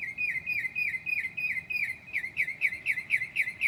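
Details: Northern mockingbird singing at 2 a.m. on a July night, mimicking other birds: a fast run of repeated high, down-slurred chirps, about four a second, forming one steady phrase.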